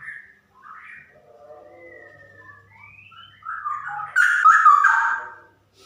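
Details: Caged female straw-headed bulbul: soft, wandering whistles that swell into a loud, bubbling, rich warbled phrase and then stop abruptly.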